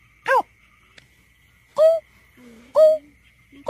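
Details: Greater painted-snipe calls played as a survey lure. Three short hollow hooting notes are spaced about a second apart, with soft low groaning tones between them and a thin constant hum in the background.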